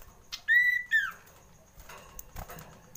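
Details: Common iora calling in fright: one long, steady, pure whistle that dips at its end, quickly followed by a shorter falling whistle. Soft background rustling follows.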